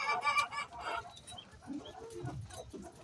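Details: Hen calling before laying eggs, a run of loud harsh squawks in the first second, then softer, lower clucks spaced irregularly.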